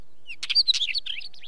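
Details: Wheatear giving a brief burst of scratchy, chirping notes, a quick jumble of short high chips and slurred warbled phrases lasting about a second, with a quiet background.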